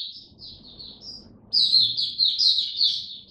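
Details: Caged white-eye with open song: soft high warbled notes, then a louder, rapid, sweet twittering run in the second half.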